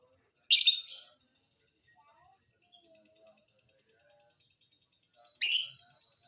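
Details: Lovebird lure calls meant to get silent birds singing: two short, harsh, shrill squawks about five seconds apart, with faint thin whistles and quiet background sounds in the gap.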